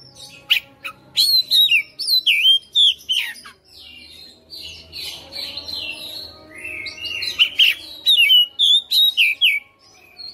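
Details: Caged Oriental magpie-robin singing persistently in fighter style, displaying its fill repertoire: dense runs of sharp whistles and chips, a softer warbling stretch midway, then steady repeated loud notes; low hum underneath.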